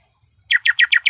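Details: Female greater green leafbird in heat calling the male: five quick, loud, slurred notes, each sliding downward, evenly spaced in about half a second, in an otherwise quiet setting.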